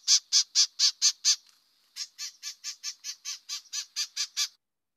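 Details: White-eyed Vireo, a bird of woodland edges, thickets and heavy undergrowth that nests in DuPage County, gives its call: six loud, harsh, raspy scolding notes, a short pause, then about thirteen softer, quicker notes, roughly four per second.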